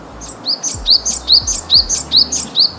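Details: A Japanese tit in a forest park in Kita-Harima, Hyogo, on a day with brief spots of rain, gives high, thin, sharply rising-and-falling notes about every 0.4 seconds, eight in a row, over faint background hiss.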